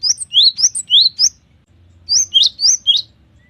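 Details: Cinereous tit in energetic song, said to be full of variation: two fast runs of sweeping whistled notes, each note climbing sharply, pairs alternating in pitch, separated by a brief pause, with a faint thin whistle at the end.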